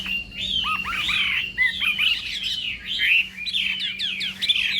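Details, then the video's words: Dense, loud warbling from a Chinese hwamei during morning voice training for song contests: tumbling slurred whistles, some dipping sharply, packed into a continuous varied phrase over a low background hum. "Hoạ Mi Hót Đấu /hoạ mi hót sáng luyện giọng kich bổi sổ giọng chim hót hay mỗi ngày/"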